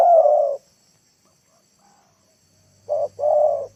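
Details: Spotted dove used as a lure for wild birds, a drawn-out coo, a pause of silence, then a short coo followed by a longer one, over a low hum.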